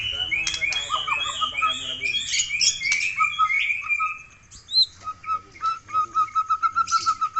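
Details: White-rumped shama of the Aceh type in full, energetic song: a rich medley of varied whistles and buzzy notes, then a fast run of short, bright, even whistles repeated several times a second near the end.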